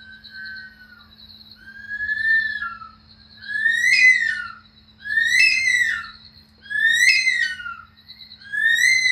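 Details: Bush stone-curlew in Australia, a nocturnal bird whose famous call is likened to a woman screaming at night: a series of eerie, drawn-out whistled wails, each rising then sliding down, repeated about every one and a half seconds over a steady low hum.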